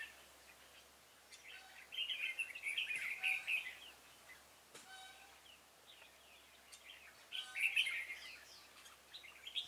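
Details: Decoy red-whiskered bulbul used on 26 February 2018 to lure a stubborn wild bird into a trap; two dense bursts of rapid, jumbled whistles and chirps separated by a quieter stretch of faint notes and clicks.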